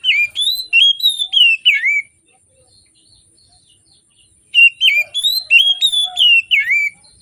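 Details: Oriental magpie-robin morning song, used as a lure to get reluctant birds singing: two bursts of rapid, clear whistled notes that rise and drop, with a silent gap of about two seconds between.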